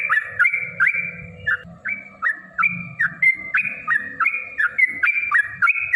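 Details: Yellow-vented bulbul in a fighting song used as a lure for other bulbuls. A steady chain of liquid, up-slurred whistled notes runs throughout, with low background rumble.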